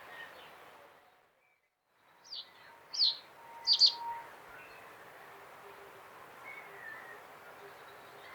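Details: Common reed bunting (Emberiza schoeniclus) singing: three short, high, sharp notes in quick succession, each slightly louder than the last, over a steady background hiss with brief quiet before them.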